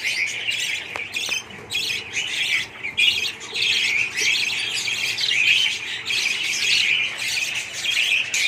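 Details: Massed budgerigar calls from a colony: rapid chattering warbles and squeaky chirps overlapping in a loud chorus, with brief dips between bursts of activity.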